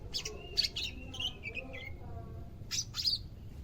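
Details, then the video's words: Captive greater green leafbird on day two of care, newly active: sharp chirps joined by short level and falling whistles, then a pause and two further bursts of bright notes. "HARI KE 2 PERAWATAN CUCAK IJO, SUDAH MULAI AKTIF BUNYI"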